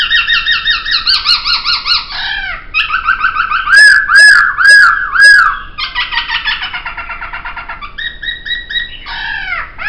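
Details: Laughingthrush song recorded as a training track for songbirds: a varied run of rich, harmonic whistles, rolling arched notes and rapid repeated phrases that shift every second or two, with a louder ringing section midway.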